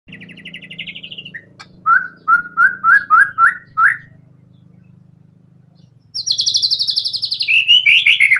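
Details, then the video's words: White-rumped shama in full, constant song, used to stimulate other songbirds to sing: a high rapid trill, then six short whistled notes at an even beat, a pause, and a high buzzy trill sliding lower, over a steady low hum. "TEMBAKAN MURAI BATU GACOR BONGKAR SEMUA ISIAN FULL FIGHTER"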